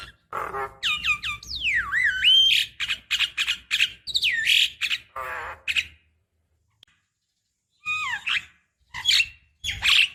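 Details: Female Javan myna calling to a male, used as a decoy: a busy mix of harsh squawks and clear whistles swooping down and up, with rasping bursts. A silent gap follows, then more falling whistles and squawks.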